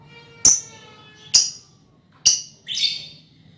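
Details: Colony lovebird sounds suited as a trilling lure: four loud, harsh, high chirps roughly one second apart, the last rougher and longer, over a faint low hum.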